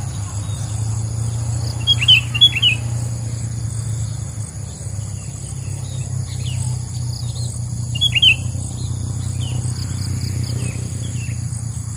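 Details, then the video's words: Wild sooty-headed bulbuls calling at a trapping site, sounds used as a lure: short, sharp chirps and quick downward-slurred notes in scattered bursts around two and eight seconds, over a steady high insect drone and low rumble. "SUARA PIKAT BURUNG KUTILANG DI ALAM!!GACORR"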